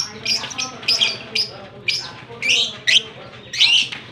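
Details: Fischer's lovebird paired with a blue masked lovebird, kissing, recorded in Larkana, Sindh on October 20, 2023; shrill squeaky chirps and short squawks in bursts roughly every half second, with a faint low background murmur.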